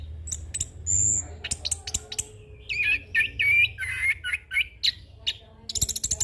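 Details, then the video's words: Varied 'ngeroll full isian' song from a young orange-headed thrush kept as a training tutor and lure. Sharp high ticks and chirps lead into a string of clear whistled, slightly warbling notes, ending in a rapid burst of clicking chatter. "Anis Kembang Ngeroll Full isian - Masteran dan Pancingan Burung Anis Kembang Muda"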